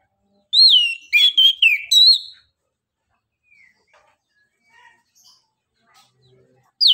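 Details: Anis kembang song phrase, a lure for birds reluctant to sing: a downslurred whistle followed by a rapid jumble of sharp, high warbled notes for about two seconds, then faint quiet notes and a final rising whistle.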